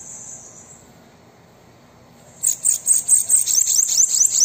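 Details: High, thin bananaquit song meant to encourage a captive bird to sing, a rapid run of sharp buzzy notes, about five per second, starting after two seconds of near silence.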